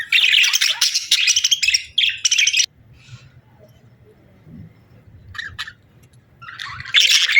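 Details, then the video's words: Budgerigars chirping and warbling in dense, bright bursts of rapid twittering notes through the first two and a half seconds, then near quiet with faint low rumble, before another burst of busy chirps at the end. "Sweet Budgie Chirping Sounds"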